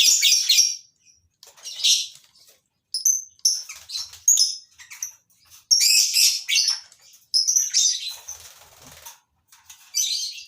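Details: Many shrill, scratchy chirps and squeaky chatter from lovebirds bred in a captive colony, coming in rapid clusters with brief pauses over about ten seconds.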